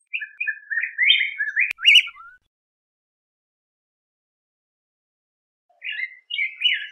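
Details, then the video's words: Yellow grosbeak singing a bouncy series of clear whistled notes with a downslurred ending, then a long silence before a short new warbled phrase begins. "Picogrueso Amarillo Canto! Sonido! Cantando! Reclamo! - Yellow Grosbeak Song-Pheucticus Chrysopeplus"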